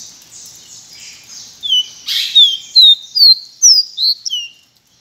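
Pearly-bellied Seedeater singing a quick series of clear, high, downslurred whistles, about three per second, after a softer buzzy, chattering opening.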